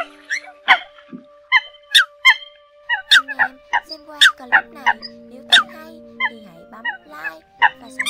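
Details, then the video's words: Lure recording of Eurasian coots for trapping birds: many loud, clipped nasal calls overlapping in quick succession, several birds at once, with sustained humming tones underneath. "Tiếng Sâm Cầm"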